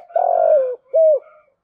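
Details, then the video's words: Decoy spotted dove with a 'giọng thổ' voice, used to lure wild doves: a long falling hollow coo followed by one short rounded coo, clean and close. "Chim Cu Mồi, cu gay giong tho cuc dinh"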